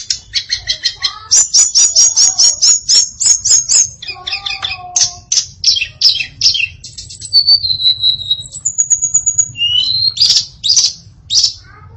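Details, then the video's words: Varied song from a female hill blue flycatcher (tledekan): fast rattling series of sharp notes, then buzzy phrases, clear held whistles and harsh bursts, continuing for twelve seconds over faint low hum. "Kicau Memukau Tledekan Betina Yang Bersuara Variatif"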